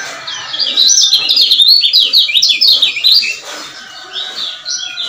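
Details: Lure of a male lemon-bellied white-eye from Lombok to bring silent birds back into song: a dense, fast run of high, zigzagging chirps for three seconds, then softer scattered notes.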